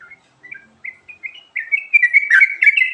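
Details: Sooty-headed bulbul varied filler song, a recording used to lure birds: sparse short whistled notes at first, then a dense run of bubbly, liquid, overlapping phrases in the second half.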